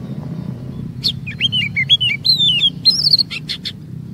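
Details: Oriental magpie-robin song serving as a lure for other magpie-robins to sing long, varied phrases: a sharp chip, then a flowing series of whistled slurs rising and dipping, closing with rapid chips over low hum.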